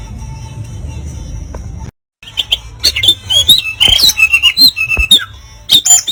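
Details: Oriental magpie-robin delivering rough 'kasaran' song material used to rile rival birds: after a hum and a brief silence, a rapid stream of high whistled, slurred and scratchy notes repeated almost once a second.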